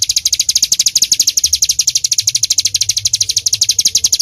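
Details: Bar-winged prinia in vigorous 'tembakan' delivery, an uninterrupted chain of sharp, high, ringing notes repeated quickly and steadily, slightly slower in pace than a pure trill.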